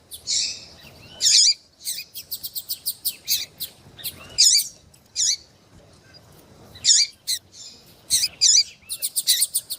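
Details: Captive female rusty-collared seedeater in Brazil, calling heatedly and peeping to excite a male for tui-tui tournaments; high sharp chirps with quick twittered runs, clustered in bursts separated by short pauses.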